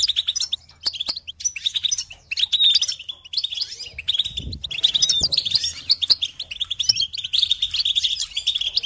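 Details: Goldfinch song from a recording made to teach and stimulate chicks and songbirds: lively high twittering with quick chirps and trills in busy bursts, briefly thinning around three seconds, plus a soft low rumble midway.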